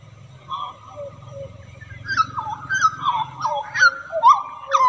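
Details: Wild hooded butcherbird singing a melodious song: clear fluted whistles that slide up and down between low and middle pitch, quickening into a run of slurred rising and falling notes, with a low hum underneath.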